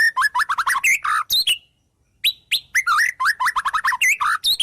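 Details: White-rumped shama delivering isian phrases copied from wild birds: fast bouncing chirps and warbles, a short silence, then another rapid run of varied chirped notes.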